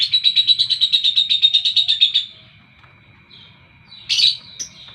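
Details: Morning chatter from a lovebird, a fast string of harsh high chirps for two seconds, then near quiet with a thin steady tone, and a sudden loud squeaky burst near the end.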